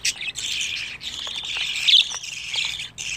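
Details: Young budgerigars, 25 days after hatching, make a steady scratchy chorus of rasping calls with a few sharper squeaks rising above it.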